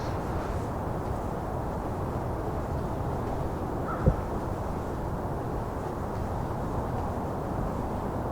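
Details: Steady low rumbling noise fills the recording, broken by one sharp click about halfway through; no animal voices stand out.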